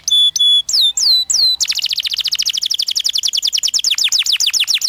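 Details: Canary song meant to coax young canaries into singing: a few steady whistled notes and descending slurs, then a fast, dense trill of rapidly repeated chirps.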